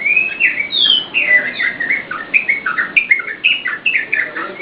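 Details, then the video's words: Yellow-vented bulbul, kept for training cage birds, giving a lively song: an opening high rising whistle, then a fast string of bubbly, downward-slurred notes at a fairly even rhythm. "SUARA TRUCUKAN GACOR UNTUK PANCINGAN DAN MASTERAN"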